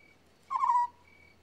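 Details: One brief rolling, purred note from an African scops owl, rough-textured and dropping slightly at the end, with a thin continuous insect tone in the background.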